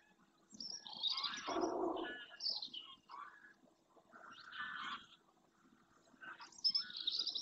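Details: Greylag goose flock in flight at early morning over the marsh of Doñana National Park, Spain, heading back to the lagoon; loud harsh honks in separated bursts, several birds calling over one another.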